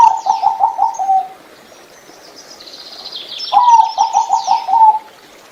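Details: Small, mostly gray zebra dove, a bird kept for its beautiful voice, gives two rolling phrases of quick, soft coos about two seconds apart. Each phrase has six to seven beats. Thin high twittering from other birds fills the gap between phrases.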